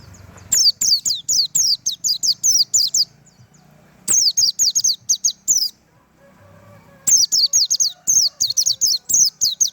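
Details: Japanese white-eye singing in the tembakan style: three bursts of rapid, very high, thin descending notes, about four per second, separated by short pauses, with faint low rumbling and clicks behind.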